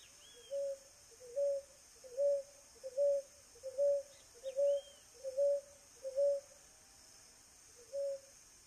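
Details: A wild ruddy ground dove (Columbina talpacoti) in Brazil gives a steady series of soft, low coos, about one every second, over a constant high insect hum and a faint whistle from another bird.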